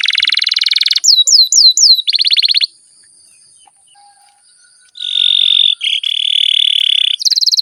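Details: Canary in long 'ngerol' roll, a prompt for other canaries: buzzy pulsed trill, four hooked whistles, another trill, two seconds of near silence, then a steady buzzing trill and a high roll.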